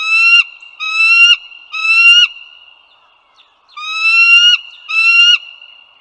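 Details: Bald eagles along the Dulles Greenway, northern Virginia, on the morning of 16 April 2022: a run of three piping, gently upslurred calls, a short pause, then two more, with a constant thin tone behind.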